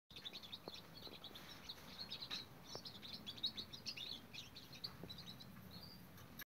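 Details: Young female goldfinch mule, six weeks old, trying to sing: a quiet, continuous high twittering of thin chirps and short warbled notes, with a low background hum.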